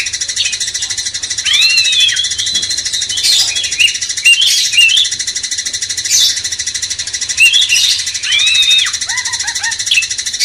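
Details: Training song of a cucak cungkok bulbul, meant to excite magpie-robins: short bursts of bright, arching whistled phrases separated by pauses, with a constant high-pitched buzzing drone behind.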